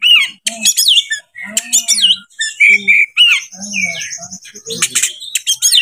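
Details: Oriental magpie-robin in breeding condition, used as a lure to provoke other birds: a busy, varied song of sliding whistles, sharp buzzy bursts and short chattering notes, with a long steady high tone near the end.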